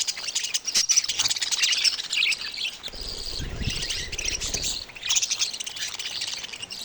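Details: Young budgies call in continuous high, raspy warbling chatter with brief pauses and a low thump in the middle.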